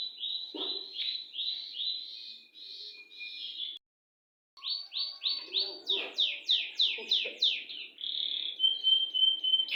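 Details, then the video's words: Canary singing a long roll: fast rhythmic trills of repeated rising notes, broken by a brief silence, then resuming with quicker sweeping notes and a steady whistled tone at the end. "BURUNG KENARI NGOCE,NYA NGEROLL . . . .PANJANG"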